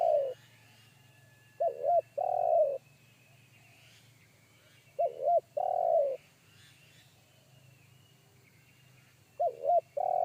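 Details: Big bass-voiced wild spotted dove in forest, one-kuk style. Repeated phrases of paired short coos run into a drawn-out rough rolling note, roughly every four seconds, with a constant low droning hum underneath.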